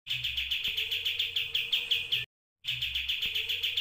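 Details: White-rumped shama delivering a 'tembakan' combination song style: a fast run of sharp, high chirps repeated about eight per second, briefly cut by a silent gap, then resuming, over a faint steady low hum.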